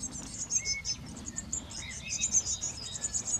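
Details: A garden nest box with blue tits raising young: rapid, thin, very high chirps in uneven bursts, a few short lower whistled notes mixed in.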